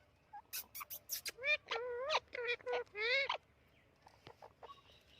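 An Amazon parrot gives a quick run of harsh clicks, then several rising, nasal, squawky notes in a row, ending in softer chatter.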